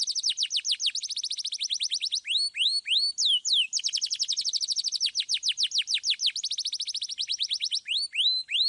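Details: Canary's long rolling song meant to coax juvenile canaries into singing: dense high trills of quick downward notes alternate with short series of upward-curving whistles, nearly nonstop.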